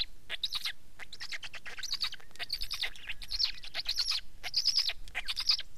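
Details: Black stork calling with a rapid series of hoarse, rasping bursts, each about half a second long, coming roughly every second with little pause between them.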